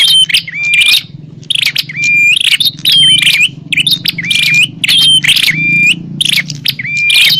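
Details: Bar-winged prinia fighting call used as a lure: rhythmic bursts of coarse buzzy notes, most ending in a clear rising whistle, about once a second, above a low droning hum.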